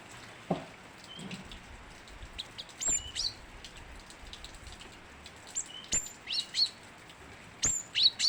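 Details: Cinereous tit calling vigorously: isolated sharp high whistles scattered through the recording, becoming a quicker string of bright, piercing notes toward the end, with occasional clicks.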